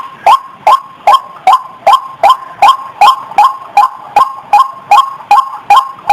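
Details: Clear white-breasted waterhen lure call: fast, regular series of short rising nasal notes, around two and a half per second, with steady volume and no competing sounds.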